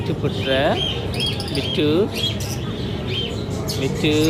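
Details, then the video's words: A talking Indian Ringneck (rose-ringed parakeet) repeats "me too" in a bent, nasal voice about three times in four seconds, over background music. "Indian Ringneck parrot talking sounds"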